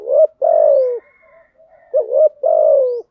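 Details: Enticing lure coos of a spotted dove, styles thúc gù and gáy gọi, for attracting wild doves: a short upswept note and a long level-to-falling coo, repeated twice with soft low mumbling between.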